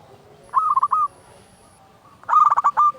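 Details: Loud local zebra dove song, played as a lure to make doves sing and rouse them: two rolling cooing phrases of quick stuttering notes, each ending in a longer steady coo, separated by about a second of quiet.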